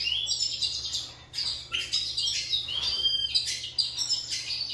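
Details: Competing song from several kept Lined seedeaters, heard at lower volume: overlapping high, sharp chirps and short rising and falling whistled phrases in bursts, separated by brief gaps, over a noticeable low background hum.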